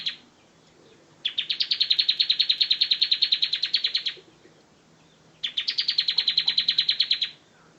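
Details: Master-song recording of a bar-winged prinia: two quick, chattering trills of many identical high chip notes, the first nearly three seconds long and the second shorter, separated by a pause.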